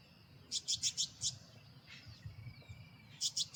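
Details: Male Carolina wren singing loudly from a perch, a territorial declaration: a quick run of five bright, chattering notes, a pause with faint thin whistles, then another burst of rapid notes at the end.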